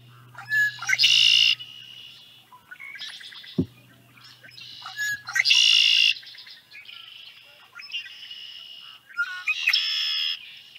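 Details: Male Red-winged Blackbird singing in spring in marshy habitat at Middle Creek: short clicks leading into a loud, buzzy trill, repeated every few seconds, with a faint low hum underneath.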